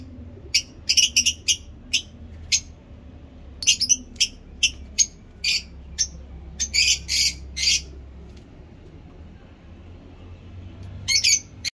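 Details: Lovebird in heat delivering ngekek panjang, a long chattering song: rapid runs of sharp, harsh, clicking squawks in uneven bursts, a dense cluster mid-way, a pause, then a final short flurry; low hum underneath.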